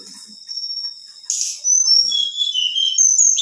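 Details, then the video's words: A female black-winged flycatcher-shrike calls to rouse males. A long, steady high whistle is followed by a brief hissy burst, then several thin sliding whistles that fall and rise at a high pitch. "SUARA TLEDEKAN BETINA GACOR"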